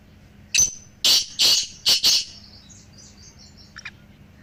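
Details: Calls of black francolins, three birds in all, played to make a pet francolin call more strongly: a short note, then four harsh grating bursts at uneven intervals, with faint high chirps and clicks afterward.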